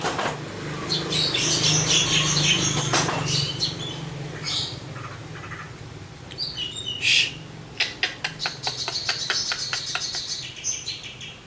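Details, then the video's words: Javan myna in lively full-repertoire song, mixing buzzy chatter and a loud harsh squawk with a rapid series of sharp clicking notes, around 140 a minute, over a steady low hum. "burung jalak kebo gacor,full materi"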